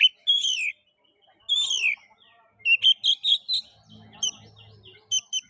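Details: Oriental magpie-robin (kacer) song used as a lure to stimulate other magpie-robins to sing: loud whistled notes sliding downward, then a burst of short repeated chirps, with faint low hum underneath.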